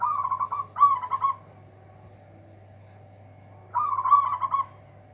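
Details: Local zebra dove with a big voice to outshine rivals sings rapid vibrating coo phrases, two run together at the start and another after a two-second pause, over a faint continuous hum.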